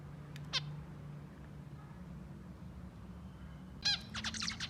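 Zebra finch giving short, nasal, buzzy notes and a brief burst of harsh, stacked song elements.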